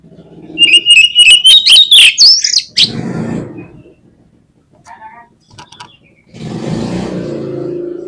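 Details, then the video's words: Oriental magpie-robin (kacer) gives a rising whistled phrase with fast buzzy flourishes for about two seconds. Broad rustling noise and a low rumble follow. "SUARA KACER GACOR"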